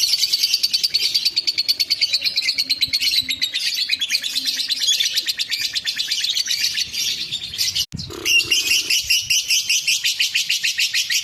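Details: Ngekek by a lovebird, sung to anger a rival: a long fast buzzy chatter that breaks off briefly after about eight seconds with a low thump, then resumes at the same rapid pace.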